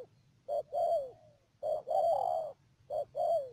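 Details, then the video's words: Decoy spotted dove used for trapping at Mương Điều, Đầm Dơi, Cà Mau, Vietnam, 12 March 2019: low cooing phrases, a short note then a longer falling coo, repeated about every two seconds, over a faint steady hum. "BẪY CHIM CU GÁY CÀ MAU .BỔI MƯƠNG ĐIỀU"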